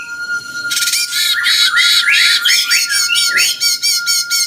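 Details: Bulbul known locally as cucak cungkok, singing in the jenggot style used to tutor champion songbirds: loud continuous chattering squawks with rising slurred notes, breaking into quick repeated bursts, a constant steady tone underneath.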